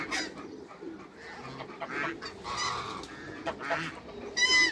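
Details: A newly paired African gander and Toulouse goose in a backyard, kept to breed a hybrid, give harsh nasal honks in short uneven bursts, with scattered clicks and farmyard noise behind.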